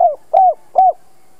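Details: Decoy spotted dove calling to attract wild birds: three hollow, arched coos about every 0.4 seconds, each swelling and then falling away, with a faint steady tone trailing after them.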